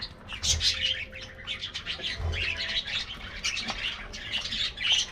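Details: Budgies in a colorful aviary colony take a morning diet treat amid loud bursts of high, scratchy chirps and warbles that rise and fall through the flock.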